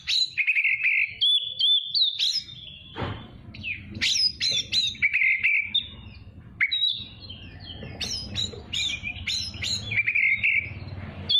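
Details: Energetic Oriental magpie-robin song used to train young birds and rile rival birds; a long varied sequence of sweet whistles, sharp high chips and buzzy slurs delivered in quick bursts, with a soft rumbling hum underneath.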